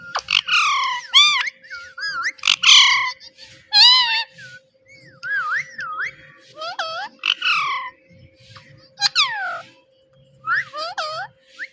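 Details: Pet talking parrot mimicking human words, repeating "Mitthu Mitthu"; a dense run of wavering, whistled and squawky syllables, some rising and falling in loops, delivered in uneven bursts roughly every second or two.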